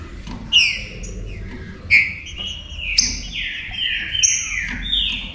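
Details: Song of the green-winged saltator, played to rouse other saltators and make them active: rich whistled notes dropping in pitch, a dense run of overlapping slurred phrases toward the end, soft background rumble.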